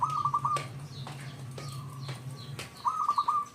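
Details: Zebra dove, a local wild-type bird used as a lure to make other zebra doves sing: short bursts of rapid trilled cooing notes near one pitch, with a low steady hum underneath and faint higher chirps from other birds.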